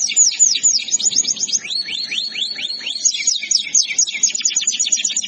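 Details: Canary masteran used for training other canaries: varied tours of high trilled notes, a run of slower sweeping whistles in the middle, then fast chattering trills, all loud and unbroken over a soft low hum.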